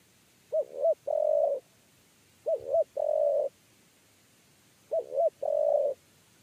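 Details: Spotted dove, 'kuk 3' coo, calling during trapping. Three phrases come at roughly two-second intervals, each made of two short, hollow, bouncing coos and one long, level coo, over quiet surroundings.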